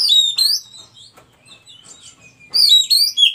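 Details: Wild white-breasted Oriental magpie-robin singing as a master model for caged birds: loud bright whistled bursts at start and end, separated by a softer passage of thin notes, phrases sharply slurred and rapid.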